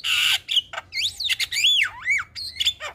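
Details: Javan myna calling in the morning to draw replies from other mynas: a harsh rasping burst, then looping whistled notes that swoop up and down, with short scratchy clicks between them.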